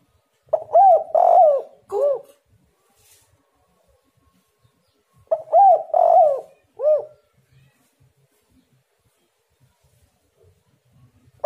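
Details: Spotted dove calling as a lure for other doves; two cooing phrases about five seconds apart, each with stuttered opening notes, a long coo and a separate short falling coo at the end.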